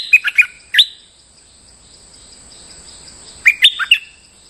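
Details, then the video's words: Lure song of a bulbul singing normally despite moulting: a fast burst of bubbling whistled notes, a separate single whistle, a long pause, then another quick four-note phrase, all over a steady high whine. "Suara pikat merbah lekir gacor"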